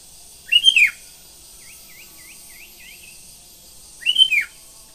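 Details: Morning singing by a sooty-headed bulbul: two loud, rollicking whistled phrases separated by a series of five soft rising chirps. Steady insect hiss forms the background.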